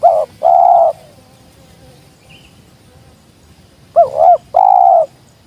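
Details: Spotted dove, a wild bird, calling twice about four seconds apart, each phrase a wobbling short coo followed by a longer even coo, with near silence between phrases.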